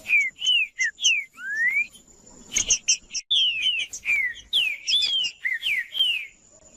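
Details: Green-winged saltator singing, played to stir a cold, quiet bird into song: clear whistled phrases of slurred rising and falling notes, some short and paired, with a faint steady high tone behind.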